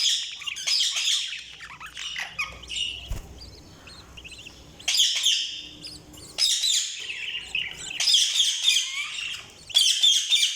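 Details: Several bursts of high, squeaky budgerigar chirping and warbling, broken by quieter pauses, with buzzy squawks and fast chattering notes returning in clusters.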